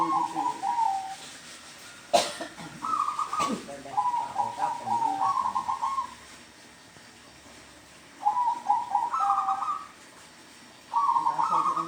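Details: Zebra dove calling in a home yard: several fast, bubbling coo phrases with rising then level notes, separated by pauses of a few seconds, plus a sharp knock early on.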